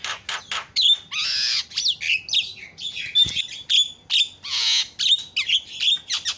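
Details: Dense, noisy chatter of harsh squawks, buzzy rasps and short whistles with almost no pauses, from a Javan myna used as a lure to make other birds call.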